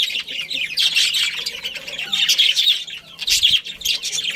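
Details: Budgerigars chirping in a colony with a breeding pair: continuous scratchy warble with high squeaks and buzzy trills, many birds overlapping, plus a soft low thump near the end.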